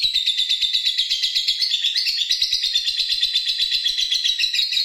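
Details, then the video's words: Lovebird singing in the ngerri style, a long unbroken song: a dense, rapid chattering trill of buzzy high notes, pulsing several times a second, that sweeps slightly upward midway and continues without pause. "NGERRI ABIS!!!! GAYA MENTIL BIKIN GERAM LAWAN"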